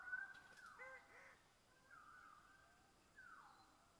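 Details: Male greater birds-of-paradise at a lek in Badi Gaki Conservation Area, calling before display to attract females: loud, harsh, crow-like drawn-out nasal notes about a second apart, over a soft forest hiss.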